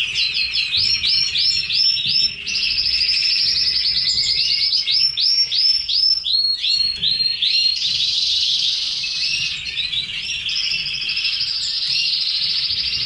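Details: Red canaries in captivity; loud song built of repeated rising chirp notes in quick series, then rapid buzzy trills and rolling warbles, very bright and continuous.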